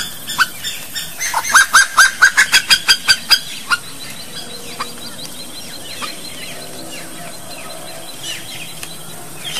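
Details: Brazilian slaty-breasted wood rail pouring out a rapid, accelerating burst of loud harsh notes for about three seconds, then quiet with scattered faint bird chirps in the background.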